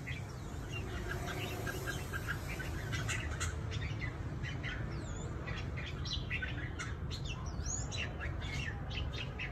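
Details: Trapped red-whiskered bulbuls kept as fighting birds in Cao Bằng, Vietnam: scattered short whistled notes and quick upward sweeps, sparse at first and busier after three seconds, over a constant low hum.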